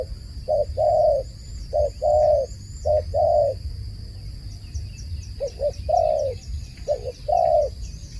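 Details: Dove call phrases of two short coos and a long drawn coo, six phrases in eight seconds with a brief pause midway, while small birds twitter faintly and a high steady tone runs throughout.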